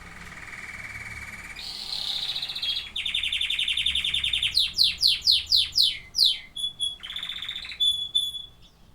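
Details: Canaries singing a varied song: a low steady trill steps up to a higher one, then a long rapid rattle, then sharp descending sweeps about three per second, ending in short pure whistles and a brief trill.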